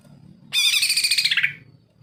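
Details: Greater green leafbird singing energetically, offered as a tutor to prompt leafbirds that are reluctant to sing; a one-second burst of rapid, bright chattering notes that slides downward at the end, over faint low background hum.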